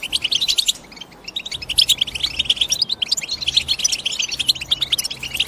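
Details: European goldfinch chorus: a brief dip at the start, then dense high chirping and quick trilled phrases pour out, several birds calling over one another.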